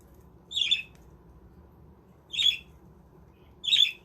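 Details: Captive budgies housed in a handmade budgie village produce three grating, buzzy squawks at uneven intervals of one to two seconds, with quiet low background hum between them.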